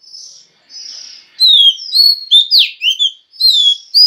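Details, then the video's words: Oriental magpie-robin female in captivity singing to provoke males: soft hazy notes at first, then loud varied phrases of sliding whistles and sharp downward chirps repeated at about two per second, clean recording. "Choè than mái kích trống hay nhất"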